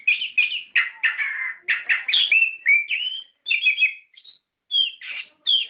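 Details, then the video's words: Orange-headed thrush in a lure recording played to make captive birds sing, in the full ngerol song style: rich, varied whistled phrases, slurred and warbling, in quick bursts with brief pauses, no other sounds. "Pancingan Suara Burung Anis Kembang Gacor Ngeplong Ngerol"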